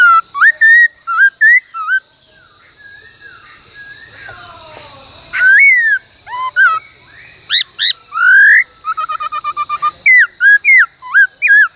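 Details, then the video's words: Laughingthrush in song training, repeating many-voiced phrases including 'cô trói cột'. Rapid clusters of bright slurred whistles, one long rising note, and a fast stutter of short notes, with a steady high hum throughout. "Luyện khướu hót bắt cô trói cột , luyện hót nhiều giọng cực hay"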